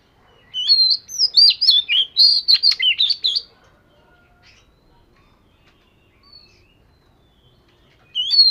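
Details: Daily singing practice by a scaly-patterned Oriental magpie-robin: a dense three-second volley of sharp whistles and fluty slides, then several seconds of near silence before a new loud whistled phrase begins.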